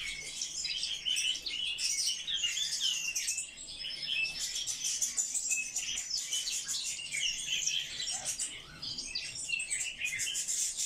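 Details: Kept Eurasian blackcap delivering a long, busy warbling song: rapid high chirps, trills and short whistled slurs run together almost without break, with a short dip in volume partway through.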